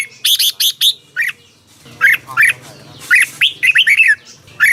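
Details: Thai Red-whiskered bulbul, a caged songbird, singing in a recording used to excite other birds: bright chirped notes in a fast run, a pause, then looping warbled phrases with rising and falling whistles.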